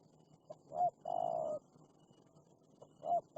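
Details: Aggressive wild spotted dove responding to a decoy bird: a short hooted note, a brief hoarse blip, then a sustained rolling coo, and another short note starting the next phrase.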